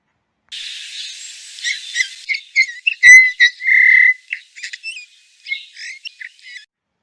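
Eurasian bullfinch: soft, low piping whistles mixed with creaky, scratchy notes. A longer pure whistle stands out in the middle, with a hissy burst at the start.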